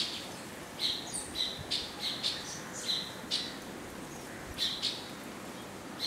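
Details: Indian silverbill (white-throated munia) uttering brief, high, sharp chip notes in small clusters every half second or so, with pauses between groups over a quiet background.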